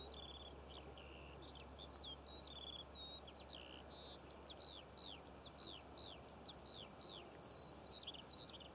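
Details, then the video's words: Eurasian skylarks singing over poppy fields in Cornwall in June 2014: a rapid, unbroken string of high chirps and downslurred whistles over a faint hiss and low rumble. "Skylark Bird Song"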